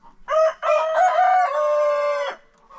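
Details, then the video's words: Farm rooster taking part in an everyday after-breakfast crowing contest: a brief opening note, then a strong, drawn-out crow of about two seconds ending abruptly. "roosters crowing.... contest"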